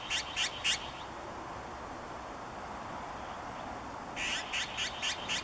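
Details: Azure-winged magpie calling close by, giving its harsh, rasping "gue-gue" notes: a burst of three grating calls, a pause, then a run of five more at an even quick pace, over a steady background hiss.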